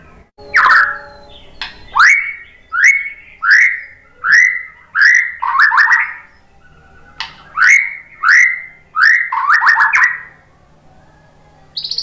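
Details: White-rumped shama lure song for getting other shamas to answer: about a dozen loud rising whistled sweeps delivered in two bursts with a quiet gap between.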